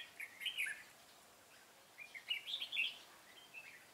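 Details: Red-whiskered bulbul decoy used in trapping, singing a fighting song: two short bursts of warbled, chirping phrases about two seconds apart, fairly faint over a steady hiss.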